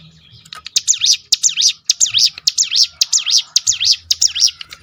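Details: Crested honeyeater rolling call used to provoke other birds into singing: a rapid string of high zigzag notes, rising and falling, repeated nearly twice a second, with a faint low hum behind.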